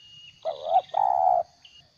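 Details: Spotted dove kept as a trapping decoy, 'gagap' coo: two mellow notes, the first swelling and slightly wavering, the second longer and steady, against faint thin bird whistles.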